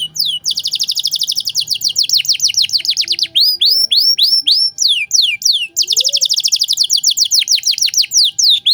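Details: Canary singing elaborate 'cengkok mewah' phrases meant as a tutor for other songbirds: long, very fast high trills of descending slurred notes, interrupted by a short run of separate sweeping whistles, with a faint low whistle in the background.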